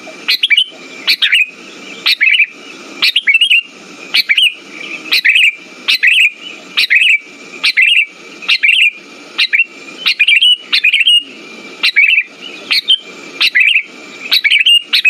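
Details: Sooty-headed bulbul song used as a lure to stimulate silent birds: short bubbly chirped phrases repeated roughly once a second, each with a sharp upward note then warbling tones, with rough low crackling bursts under every phrase.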